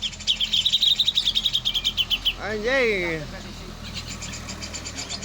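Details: Grey-cheeked bulbul giving a fast run of about fifteen sharp, evenly repeated high chirps, then a loud nasal arching call that rises and falls, followed by fainter chirping.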